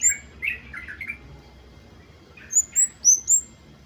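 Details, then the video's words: Flowerpecker singing energetically in the ngalas wucit wucit style, played to coax birds into song: soft lower twittering first, a pause, then four piercing, very high, clipped chirps at even spacing. "PANCINGAN KEMADE BAHAN AGAR BUNYI || KEMADE/CABE CABEAN GACOR NGALAS WUCIT WUCIT"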